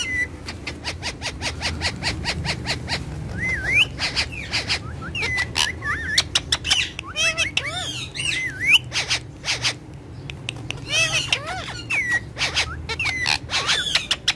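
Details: Two pet Indian ringneck parakeets, kept together and shown dancing and talking, give sharp repeated clicks and short rising-falling whistled squawks, the clicks bunched in quick bursts, over steady low background hum.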